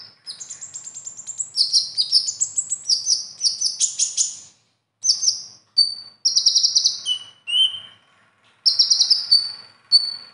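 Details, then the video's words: Konin's competition song loaded with borrowed phrases: a long stretch of rapid buzzy trills and stepped whistles, then spaced bursts of chatter and clear whistled notes. "Konin Isian Mewah"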